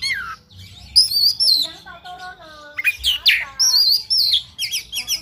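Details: Kacer (oriental magpie-robin) pouring out a fight-ready song full of imitated fills: rich warbling, a series of lower clear whistles, sharp falling slurs and fast repeated high trilled figures.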